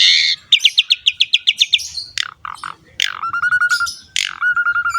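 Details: Asian pied starling singing to coax lazy or young starlings: a quick run of about nine pulsed notes, then harsh calls and two level warbling whistles.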